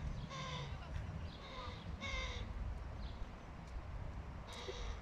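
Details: Fluffy crow fledgling being fed by its father; four short, harsh, harmonic nasal calls in irregular succession, the first three close together and the last after a pause, against a constant low-pitched urban rumble.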